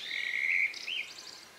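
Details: Countryside dusk chorus just before night, recorded on May 2, 2020 near 9 p.m. on a MixPre-3 recorder: a clear sustained high whistle, then a short quick rising trill and thin twitters.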